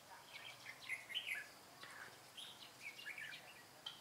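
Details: Red-whiskered bulbul at a trapping session on 25 April 2017, heard in fighting song: short whistled, slurred phrases, some rising and some falling, given in quick bursts with brief pauses between them. A faint background hiss runs underneath.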